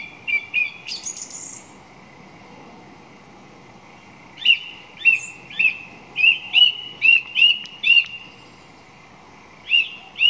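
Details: Song thrush song built on repetition: a few quick notes and a high trill, a short gap, then one clear rising whistled note repeated about eight times at an even pace, with two more to close.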